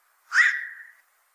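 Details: Black-crowned night heron, described as a heavy fish eater troublesome to fishpond owners: one short call with a harsh, noisy onset that settles into a sliding, slightly falling tone, fading within about three-quarters of a second. The background is silent.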